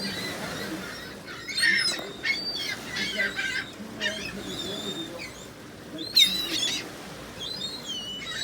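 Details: Numerous gulls produce short, clipped, nasal cries and a few longer squealing calls in scattered bursts, the loudest near the end, over a steady low background rumble.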